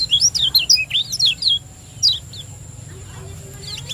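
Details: Champion lemon-bellied white-eye from Lombok, singing 'ciak joss' to stimulate other kept birds: a rapid string of high, bouncing, slurred chirps for about one and a half seconds, then a few isolated notes, with a thin steady whine.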